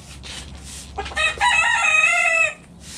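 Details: Rooster crowing in a backyard coop during feeding, a brief stuttered start, then a loud, rich crow held about a second before cutting off, with soft pecking noises around it.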